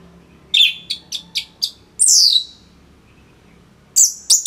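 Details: Orange-headed thrush, a caged bird from Singaraja in northern Bali, sings as a tutor for other songbirds: a series of quick sharp chirps, a long high descending sweep, then more high chirps after a pause.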